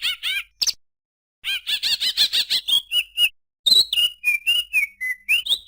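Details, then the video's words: Greater green leafbird singing in broken bursts: a few sharp chirps, a pause, a quick rattle of repeated notes, then a string of slurred, falling and rising whistles. "suara burung cucak ijo"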